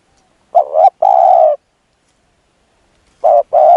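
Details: Spotted dove acting as a decoy to lure a wild bird, uttering a two-part coo phrase, a wobbling note then a drawn-out steady coo, followed by a pause and the start of another phrase.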